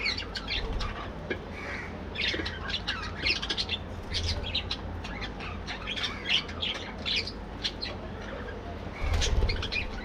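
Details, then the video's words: Morning in a budgerigar breeding colony: constant chorus of scratchy squawks, chirps and warbling from numerous birds, bursts of louder calls throughout, a low-pitched thump near the end and faint background hum. "Budgies Playing | Activities | Breeding | Colony Parakeets Morning Activities"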